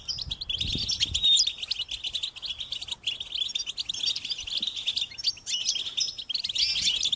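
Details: Insistent, high-pitched begging from European goldfinch chicks asking their parents for food, a steady, dense twitter with short dips in loudness around three and five seconds.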